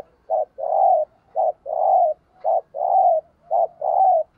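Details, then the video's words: Decoy spotted dove kept in a cage, giving thúc gù cooing meant to lure wild doves: four paired coos, a short note then a longer drawn-out hoarse coo, repeated about every second, steady and low. "Chim Cu Mồi Thúc Gù Bài Bản Nghe Rất Xướng Tai, Dùng Kích Bổi Rất Hiệu Quả"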